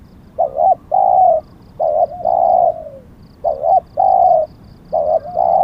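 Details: Decoy spotted dove cooing steadily: four mellow phrases in under six seconds, each a brief wavering note followed by a long even coo, one ending in a soft falling tail.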